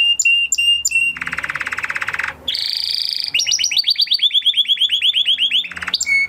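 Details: Huppe Spanish Timbrado canary from 2020 breeding, kept in a flock, singing a training song: short whistled notes, then a fast metallic trill, a bright high rattle and a long run of rapid descending chips.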